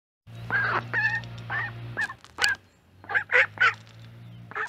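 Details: Mallard calls picked up by a microphone set beside corn: harsh, nasal quacks in uneven bursts, some with a wavering tone, over a steady low hum.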